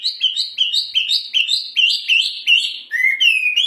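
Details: Hwamei, a songbird kept as a pet and known for its loud, ringing voice and varied, rhythmic song: loud clear whistled phrases, each rising, repeated about every 0.4 seconds, then ending in a lower, drawn-out whistle.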